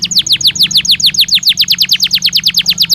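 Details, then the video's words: Belgian canary song used as a training stimulus to make canaries sing: a fast, steady tour of loud, high, sharply descending whistled notes repeated several times per second, with a faint low hum underneath. "Som de estímulo que faz o canário belga responder com voz mais clara"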